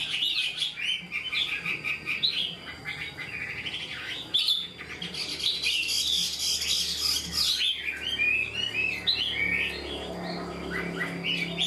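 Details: Chinese hwamei, an untrained caged bird singing like a tame one, gives a long dense run of whistles, trills and rapid slurred notes that hardly pauses, with a soft low hum underneath.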